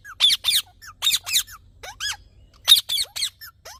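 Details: Harsh, squeaky green parrot calls, short grating bursts paired with curved whistled notes, repeated in quick clusters across a few seconds with no other sounds.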